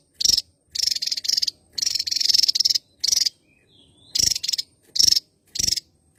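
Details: Endemic Javan tesia from Java island singing energetically, giving high, buzzy, crackling bursts, several joined into longer rattling phrases, broken by a short quiet spell midway.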